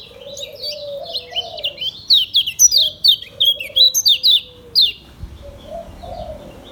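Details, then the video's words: Caged yellow white-eye of Lombok origin singing in the fast ngejos style: rapid, high, chirping and downslurred notes in quick bursts, alongside a lower, drawn-out whistle that rises and fades. "SUARA KECIAL KUNING LOMBOK NGEJOS SELOW"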